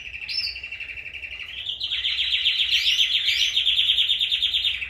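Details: Caged pet canaries in full song as pairs are about to be separated: a sustained rolling trill that climbs in pitch, topped by quick upswept whistles, against steady low hum.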